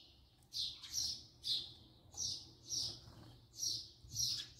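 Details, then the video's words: House sparrow filmed close up, giving a series of bright, slightly harsh chirps, one roughly every half second to second, with a quiet low background hum. "voice song call house sparrow صوت عصفور الدوري"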